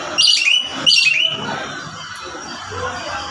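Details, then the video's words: Javan green magpie recorded on Mount Sawal in West Java, its population described as close to extinction: a pair of loud, grating squawks in quick succession, then a faint murmuring background with low rumble. "ekek keling jawa barat gunung sawal burung ini populasinyah udah hampir punah"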